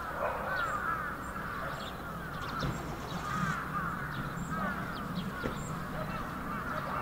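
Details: Many bramblings calling together in a big flock, Yoyogi Park, February 2019, winter; a thick unbroken wall of overlapping chirps and nasal notes, occasional sharper high notes, low rumble of distant traffic underneath.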